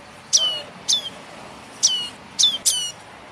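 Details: Begging calls of a young prenjak kepala merah tailorbird, used as a trapping lure. Five thin, falling chirps come at uneven gaps, and the last two are close together, against soft background hiss.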